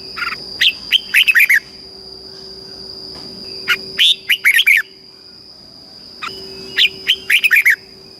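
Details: Red-whiskered bulbul, a Thai caged songbird, repeating southern master-style phrases used to excite and train birds. Three bubbly whistled phrases of four to six notes each come roughly every three seconds. A constant electronic tone underlies them.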